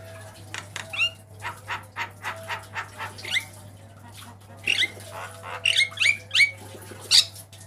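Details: Caged black-winged myna master song for training other birds: spaced harsh chattering notes, then clusters of rising whistled slurs and sharp squawks, with a constant low electrical hum underneath.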